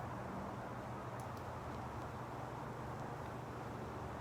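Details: A steady low engine-like rumble and hum fills the recording, with no animal voice heard.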